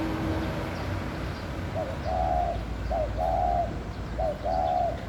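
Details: Laughing dove courting, giving three clear cooing phrases, each a brief lead note then a longer sustained coo, spaced about a second apart after a quiet opening, low background noise throughout.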